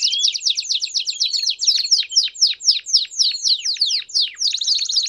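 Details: Canary song in the campainha style with piados, used to train young canaries: fast descending chipped notes in a steady rhythm of about four per second, ending in a brighter, tight trill.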